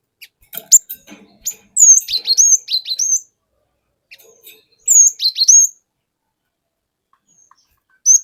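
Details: Wild-caught cinereous tit singing its long rolling 'wucit wuit' lure song: two bright phrases of quick high slurred whistles, with faint ticking notes before and a long pause after.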